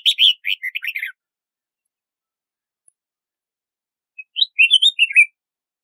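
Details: Red-whiskered bulbul sings two separate bursts of chirpy, slurred whistled notes, a rapid jumble first, then a pause of about three seconds before a second lilting phrase.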